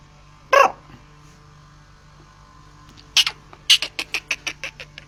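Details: Black francolin (kala teetar) calling: one harsh, broadband burst, a pause of over two seconds, then a quick run of about nine grating, clipped notes that weaken toward the end, over a faint low steady hum.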